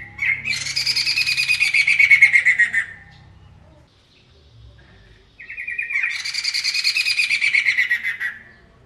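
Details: Caged Poksay Mantel bird in full loud song: two long bursts of rich, buzzy, harmonic chatter, each opening on a whistled note and slurring downward, separated by a pause of about two seconds; faint low hum beneath.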